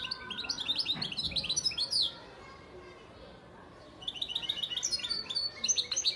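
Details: Male breeding European goldfinch from Antalya, Turkey, 2018: quick, high, liquid twitters in a busy two-second burst, then near silence for about two seconds, then another lively run of chattering notes.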